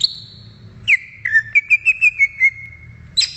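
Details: Greater green leafbird song recorded in the wild: a long high whistle, then a falling slur and a quick string of about eight short repeated whistled notes at one pitch, ending with a higher note.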